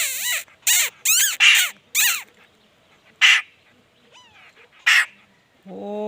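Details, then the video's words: Laughingthrush singing: a fast series of loud, arching, harsh phrases, then scattered single bursts and a soft rising whistle, ending on a steady low tone. "khướu hót"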